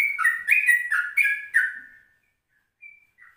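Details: Morning yellow-vented bulbul recording made at 04:30 as lure and ropelan-style tutor material. Loud, rapid, gurgling notes tumble for about two seconds, then two soft isolated whistles follow after a pause.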